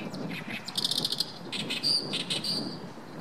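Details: Oriental reed warbler (Acrocephalus orientalis) singing at newly flooded rice paddies, 7 May 2014: a loud run of harsh, grating chatters mixed with a few clearer whistled notes, over a faint low rumble.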